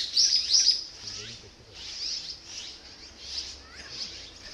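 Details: Azure-winged magpie nestlings near fledging, excited at parents bringing food; loud high squeals at first, then continuing squeaky begging chatter with downward slurs.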